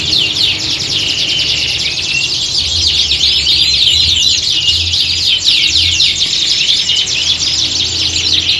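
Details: Several canaries singing together in a contest-like setting, played to train canaries' mental toughness for singing competitions; dense overlapping high trills and rapid chirping sweeps run without pause, with a faint low hum beneath.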